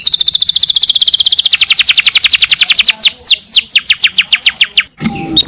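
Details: Canary singing a lure song meant to stir quiet canaries into song: a rapid high trill that slows into a string of downward-swept whistled notes, then a short buzzy ending.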